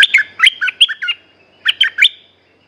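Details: Close, loud song of a caged red-whiskered bulbul: a bubbly phrase of five or six quick liquid notes, a short break, then three more similar notes.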